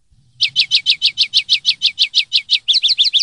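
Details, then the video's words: Common linnet, 'limpio' song style: a fast, loud, steady series of about fifteen identical sharp notes, shifting at the end to quicker doubled notes, with a faint low rumble at first. "CD PARDILLO LIMPIO 2023/2024"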